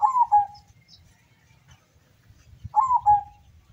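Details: Local zebra dove from the slopes of Mount Sumbing, Windusari, Magelang, singing in a contest in Sukorejo field, Suruh, Semarang Regency, Central Java, Indonesia: two coos that slide down and end in a short trill, about three seconds apart.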